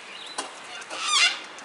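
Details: A sulphur-crested cockatoo in Melbourne gives one harsh, grating screech, loud and raw, rising out of a quieter background and lasting about half a second.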